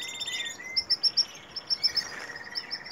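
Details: Canary in breeding season, S A: a run of short, bright, evenly spaced high chirps, about six to a second, after a brief buzzy trill and a thin sustained whistle, over faint background hiss.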